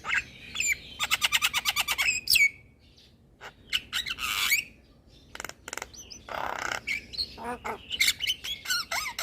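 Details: Head-bobbing Javan myna in full song, played as a lure and therapy for moulting birds: a fast rattling series of clicks, a harsh rising squawk, then gritty chatters and thin whistled slurs.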